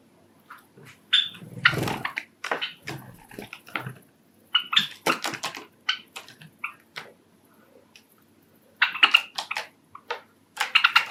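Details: Male cherry-colour Java sparrow, a pet bird kept indoors among five Java sparrows, sings its courtship song: rapid sharp clicks and short metallic notes in clustered runs, a brief lull, then another fast clicking phrase.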